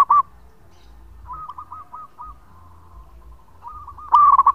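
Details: Local zebra dove song meant as a lure: soft, distant-sounding runs of looped coos through the middle, bracketed by a brief loud note at the start and a loud rolling coo burst at the end.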